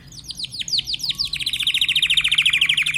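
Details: Timbrado canary singing downward-sweeping notes that run into a fast, even, repeated rolling trill.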